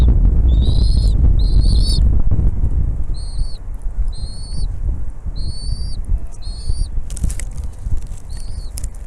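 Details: Bald eagle at the nest as the mother brings food to feed her chicks: a series of short, high, whistled, slightly rising and falling notes in quick bursts, with steady low wind rumble beneath.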